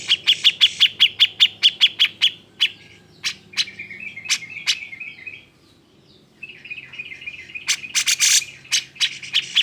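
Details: Cucak jenggot in an emotional, agitated song used to stir reluctant birds to sing: a fast train of bright chirps, scattered sharp notes over a steady high whistle, then harsh scratchy bursts.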